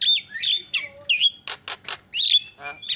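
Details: Javan myna, a strong loud senior singer used as a master tutor song: varied whistled notes and harsh buzzy bursts in quick irregular succession, with a descending rattle near the end, sounding indoors.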